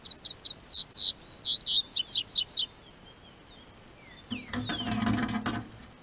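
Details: Double-collared seedeater in southern Brazil, singing as the weather warms in spring: a fast run of about fourteen high whistled, slurred notes lasting under three seconds, followed by quiet and then a burst of scratchy rustling and clatter.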